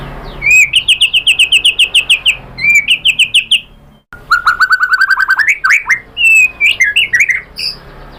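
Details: A white-rumped shama sings a provoking lure song meant to draw a rival into singing with varied material. It begins with a fast trill of about fifteen repeated whistled notes, then rising chattering runs and varied whistled phrases.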